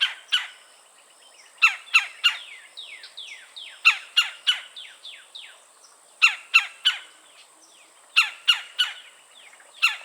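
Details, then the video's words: Red-bellied Woodpecker in Florida gives sharp, harsh calls in quick bursts of three or four, mixed with softer descending chirps, repeating every couple of seconds; the bird's repertoire includes "cha-cha-cha", "churr" trill and squeaky sponge-like calls. "Red-bellied Woodpecker Calls"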